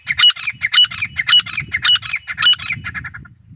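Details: Loud grey francolin (desi teetar) calling, harsh ringing phrases repeated about twice a second, fading into shorter, softer notes at the end, with faint low background rumble.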